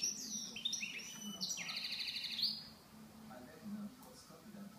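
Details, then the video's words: Goldfinch mule delivering a quick, high trilling phrase with buzzy rattles and sliding whistles for about two seconds, then falling quiet apart from a few faint notes and a low hum. "mullet chardonneret"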